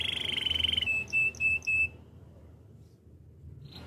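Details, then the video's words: Spanish Timbrado canary training song: a loud sustained rolling trill, then a clear steady whistle with three short bell-like notes, followed by near silence and the start of a new rising note. "Canary spanish timbrado song for training"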